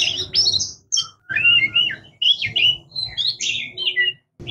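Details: Oriental magpie-robin, called murai kampung or kacer, delivering varied whistled and chattering notes in quick phrases, some scratchy, over a steady low background hum.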